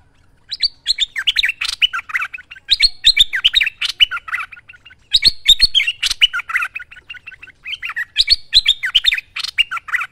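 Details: Merbah lekir bulbul in full, lively song for use as a training master: three bursts of rapid, bubbly, chattering phrases mixing sweet whistled slurs and quick notes, with short pauses between.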